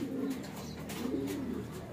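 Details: Domestic pigeons being released from a loft give low, throaty coos, a soft warbling tone that rises and falls twice across two seconds, over a faint room hum.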